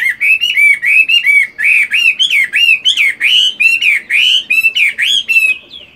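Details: Chinese hwamei in a cage, moulting, at morning voice training. It pours out a continuous, rich whistled song of quick looping notes that rise and fall, delivered in a fast rhythmic stream.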